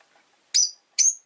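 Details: Pet rosy-faced lovebird on a relaxed afternoon: two short, sharp high chirps about half a second apart, each a bright buzzy note, otherwise quiet.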